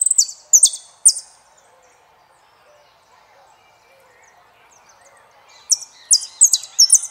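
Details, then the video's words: Saffron finch (jilguero argentino) sings a few high, sharp, falling chirps, falls silent for several seconds, then resumes with a cluster of quick bright notes. "JILGUERO ARGENTINO"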